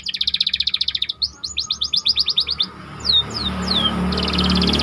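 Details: White canary singing a model song for training other canaries: rapid rattling trills, a run of rising whistles and a few downward slurs over low background hum.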